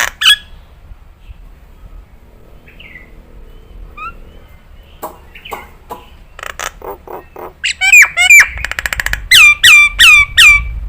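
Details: Nias hill myna tutor recording for birds to copy. Scattered soft notes at first, then a rapid run of loud, ringing whistles and hooked, falling notes, with a brief raspy buzz between.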